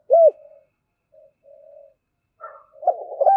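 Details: Spotted dove giving the thúc gù coo in a local field-style voice, used as a lure so wild doves call back: a loud low hooting note, softer trailing coos, then a burst of rough, mid-pitched cooing at the end.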